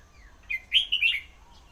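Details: Red-whiskered bulbul singing: a short bright phrase of slurred, warbling whistled notes, three quick linked bursts rising and falling, over quiet background hum.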